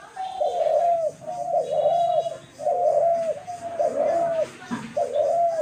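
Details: Dove recorded on March 28, 2024, giving five clear, arched coos at an even pace of about one per second. Each note is slightly wavering and ends in a quick dip.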